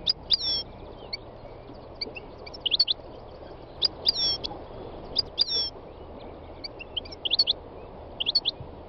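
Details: Wild European goldfinch singing: bright, high twittering notes and sweeping whistled slurs in short bursts, some rising and some falling, with brief pauses between phrases over a steady background hiss.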